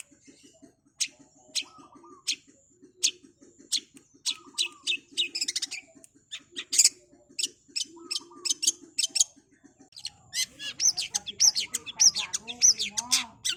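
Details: Long-tailed shrike (cendet) in fast, energetic song: sharp, very high chips repeated roughly every half second, with soft lower warbling beneath, then a dense, rapid burst of mixed chirps and slurred notes near the end.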